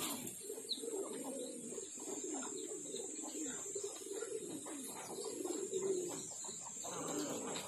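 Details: Pomeranian pouter pigeon, blue colour, kept in a loft in the Philippines, giving low continuous bubbling coos that swell and fade, with a steady high hiss in the background.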